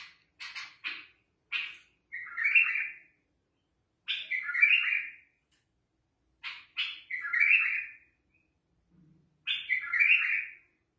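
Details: A bulbul sings. A few quick introductory notes lead into a liquid, warbled flourish, and the phrase is repeated about every two and a half seconds.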